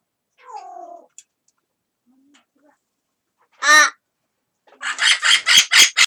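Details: Household amazon parrots exchanging calls: a quiet descending whine, one loud tonal squawk, then a fast run of five harsh, raspy shrieks at the end.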